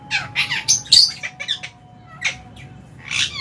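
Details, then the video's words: Colony of lovebirds, including Fisher's, albino and lutino birds, chattering during a January meal time in an aviary; a dense run of rapid, harsh squeaky chirps, a brief pause, then more scattered shrill calls. "Lovebird Chirping Sounds"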